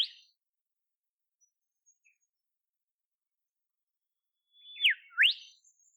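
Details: In southeastern Australian forest, a wild olive whistler gives a brief opening note, a long quiet gap, then a paired phrase of a quick downward whistle and a sharp rising sweep.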